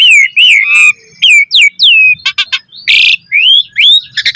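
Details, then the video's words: Jalak suren (Asian pied starling) in full 'gacor' song for training other starlings: bright down-curving and upslurred whistles broken by a short harsh rasping burst. "Jalak Suren Gacor Full Isian Cocok Buat Masteran Suara Burung Jalak Agar Gacor Full Isian Mewah"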